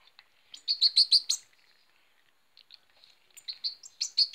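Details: Hand-reared goldfinch chick, 2018, begging while being fed: bursts of rapid, high, sharp chirps in quick series, a pause of about a second, then more chirping rising again in intensity.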